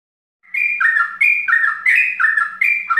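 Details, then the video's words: Yellow-vented bulbul (trucukan) singing in the mbandul ropel style, used to lure birds of the same kind: quick chattering two-note phrases, a higher note dropping to a lower one, repeated about three times a second after a brief silence. "Suara trucukan mbandul ropel"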